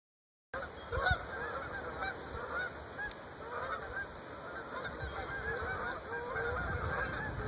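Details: A migrating flock of Canada geese forms up over the Great Smoky Mountains in early October 2014, honking continuously as it heads south: many overlapping nasal honks rising and falling together over a steady background hiss.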